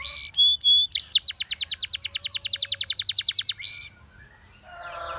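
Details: Russian singing canary giving two short whistles, then a long even trill of rising notes, about seven per second, ending in a slurred note; faint low rustling follows. Song meant to attract other canaries.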